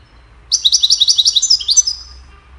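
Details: Goldfinch melody used for teaching birds: a short phrase of about a dozen rapid, sharp, high tweets, ending in a drawn-out thin trill that trails off after about a second and a half.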